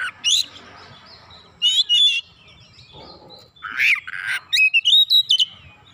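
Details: Oriental magpie-robin answering straight away and singing insistently, showing off its learned fill-in phrases: bright whistled slurs and harsh buzzy bursts in separate short phrases with quiet gaps between them.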